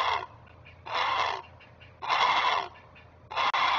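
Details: Great blue heron parent on a Chesapeake nest, recorded by a nest camera on May 19, 2023, sounding an alarm while guarding its young: harsh, raspy, broadband squawks about half a second long, repeated roughly every second.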